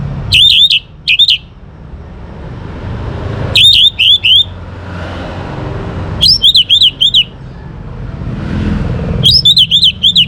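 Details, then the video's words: Young Orange-headed Thrush in full song, meant to draw other birds into singing: four loud bursts of three to four quick wavering whistled notes, spaced about three seconds apart, with a faint traffic hum beneath. "ANIS MERAH Muda Gacor Untuk Pemancing Burung Berani Berkicau Ngeplong juga Teler"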